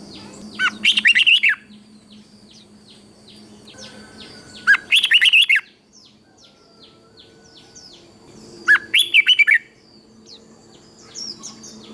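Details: Red-whiskered bulbul, Thailand, giving southern master-style song meant to stir other bulbuls and train young birds. Three short phrases of rapid, rich whistles come about every four seconds, with soft chirping birds and a thin whine behind.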